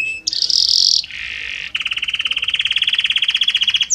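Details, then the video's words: Belgian canary singing a varied song: a bright buzzy high phrase, a lower rattling stretch, then a long fast trill of repeated notes, each phrase shifting gradually into the next. "Magnífico Como canta este Canário Belga!"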